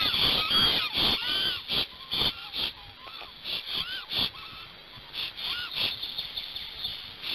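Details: Black stork parents at a nest in Gemenc, Hungary, on 21 May 2019 at 10:06 AM, singing a long song during the change-over. Rapid hoarse, wheezy bursts come about twice a second, mixed with short arched whistles over a steady hiss.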